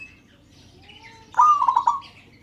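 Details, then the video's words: Single call from a local zebra dove meant to make other birds call: one short, bubbling phrase of quick, rolling coo notes, after a thin whistle from another bird. "Perkutut LOKAL Memanggil "Bikin yang Lain Ikut BUNYI""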